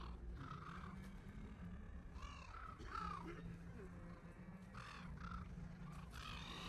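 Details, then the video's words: Silver gulls at Lake Burley Griffin, Canberra, give harsh, nasal squawks in short bursts every second or two over a steady low hum of engine or traffic noise. "SILVER GULLS"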